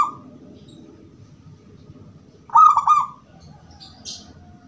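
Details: Zebra dove of the gedong mengo type with a 'crystal' voice, cooing in song, a recording meant as a lure to make other zebra doves answer; one short trilled, wavering coo in the middle, over low rumbling background noise.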